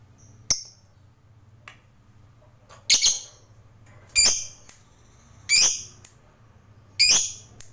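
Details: Lovebird kept as a fighter bird, sharp buzzy squawks repeated roughly every one and a half seconds, some doubled, over a low steady hum.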